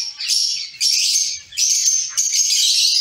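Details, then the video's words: Zebra finches kept as a colony in a cage: three long, buzzy, nasal bursts of calling follow one another with brief dips between them. "Zebra finch sound"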